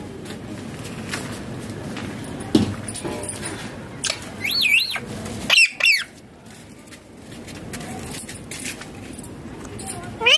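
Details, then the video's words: Rose-ringed parakeet while eating, giving a few sharp, wavering squawks around the middle, with rustling and handling noise throughout. "Ringneck green parrot natural sounds talking eating foods"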